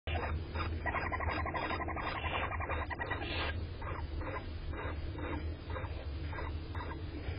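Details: Barn owl (Tyto alba) hatchlings begging with raspy, hissing chitters in quick overlapping bursts, several each second, over a steady low hum.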